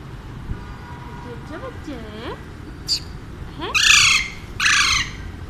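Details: Male pet Alexandrine parrot talking to his human companions: curving, wavering whistled voice-like tones, then a sharp click and two loud, harsh, rasping squawks near the end over a faint steady background hum.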